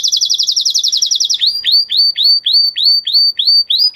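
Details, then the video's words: Singing male canary: a very fast high rolling trill, then a series of about ten downslurred whistled notes repeated roughly every third of a second. "Beautiful canary song اواز زيباي قناري نر مست"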